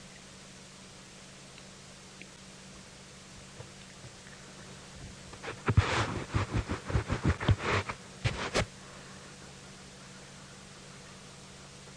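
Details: A short burst of rustling and clicking handling noise over a low steady hum, with no animal calls.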